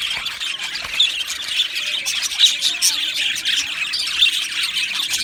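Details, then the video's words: Flock of Australian budgies in an aviary giving continuous warbling song and chirps, a busy overlapping chatter with occasional louder squawky notes rising out of the group noise. "Beautiful Budgies Birds Singing and Chirping Sounds"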